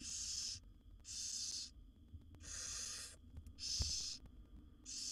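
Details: Wild barn owl owlets, seven in a monitored nest box, begging as their mother feeds them: harsh breathy hissing rasps, each about half a second long, repeated roughly once a second.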